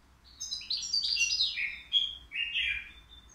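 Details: European goldfinch, three years old, caged at the Qriaa bird market and said to sing without errors; a quick run of bright, jangling twitters descending into liquid chirps, then a short rolling trill.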